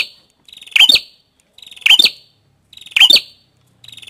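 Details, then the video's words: Prenjak kepala merah, a prinia: each phrase opens with a soft buzzy stutter and ends in a loud, sharp, ringing double note, repeated roughly every second and a quarter. "Suara Burung | Prenjak Kepala Merah"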